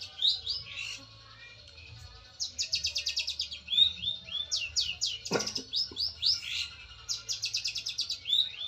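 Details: A long-tailed shrike calling out a rival, used as a lure call, pours out high, rapid trilled bursts mixed with slurred whistles and chattering notes, broken by a single sharp knock midway.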